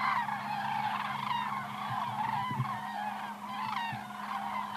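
A flock of cranes calling in flight: overlapping rolling, trumpeting notes from many birds in a continuous chorus, over a steady low hum.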